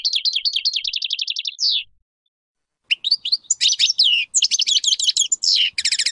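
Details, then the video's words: European goldfinch cage bird in full song: a fast trill of repeated notes ending in a downward slur, a pause, then dense jangling twitters, buzzy phrases and rapid trills. "صوت الحسون الأصلي - Stieglitz Major Beste Gesang - Le roi du chardonneret"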